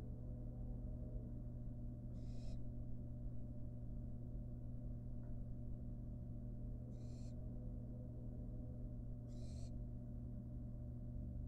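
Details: Wild barn owl fledgling eating a rat in a nest box. Three fainter, brief breathy hisses are spread over about eleven seconds, above a persistent low hum and faint background noise.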